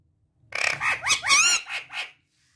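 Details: Talking parrot at home letting out a harsh, raspy squawking phrase of several grating notes with whistled bends, lasting under two seconds.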